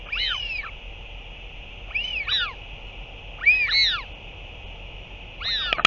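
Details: Northern royal albatross recorded 8 June 2023 as a parent returns to feed its chick: four clear bursts of arched, rising-then-falling wailing notes, each of two or three overlapping syllables, about every 1.7 seconds, with a brief clatter at the end.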